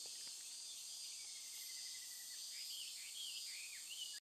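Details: Chinese hwamei in full song by the Toki River, Japan, 12 August 2013, during a heatwave: a long, smooth falling whistle followed by quick looping slurred notes, under a steady shrill insect chorus.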